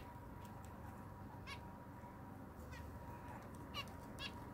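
Zebra finch giving short, nasal, toy-trumpet beeps, four or five scattered over a few seconds, above a steady electrical hum and low rumbling background noise.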